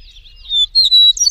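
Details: Wild Eastern meadowlark song: clear, slurred whistles at a high pitch, with a drawn-out note followed by two brighter sustained whistles, in a quiet setting.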